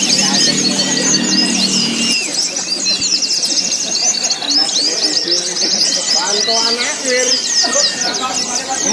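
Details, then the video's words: White-eyes (pleci) in a competition-training simulation: continuous dense high twittering from many birds, a low humming drone in the first two seconds, and crowd chatter throughout. "TERAPI SIMULASI LOMBA PLECI"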